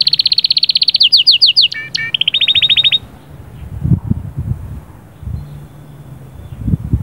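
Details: Canary delivering sahsahat and batbatat song meant to prepare a hen; a loud rapid trill runs about three seconds with a brief buzzy break, then the bird falls silent over faint low background hum.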